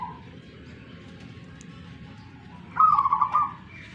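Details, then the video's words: Local zebra dove from Tuban, East Java, cooing; one clear burst of rapid bubbling coos near the end after a quiet stretch, with low background hum and faint human voices. "PERKUTUT LOKAL ALAMM TUBAN JAWA TIMUR.LAGI TARUNG"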